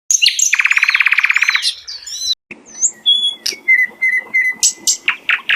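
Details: Wild hill blue flycatcher singing vigorously in forest: high whistled notes, then a fast buzzy rattle-like trill for about a second, followed by a varied run of sharp chips and short whistles repeated in quick succession.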